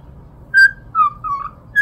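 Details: Short fragment of a pet cockatiel whistling the My Neighbor Totoro tune: three brief whistled notes descending in pitch, with low background rumble.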